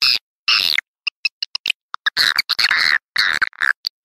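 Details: Swiftlet lure call used in swiftlet farming: bursts of harsh chattering and rapid clicking notes broken by short silences, some phrases buzzy and rasping, others sharp ticks in quick series.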